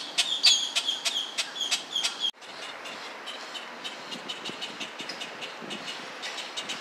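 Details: Baby grackles give rapid, harsh, high chipping notes, about three a second, loud at first, then softer and continuing after a sudden cut.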